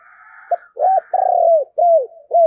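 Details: Spotted dove used as a decoy at Tết, its cooing meant to lure wild doves: faint hum, a short click-like note, then four loud arched hoots, the second long and gently falling.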